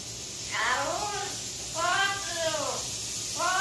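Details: A Cuban amazon sings the human tune "Guantanamera" in a hoarse, voice-like tone: three drawn-out phrases of wavering, falling notes, with faint room hiss.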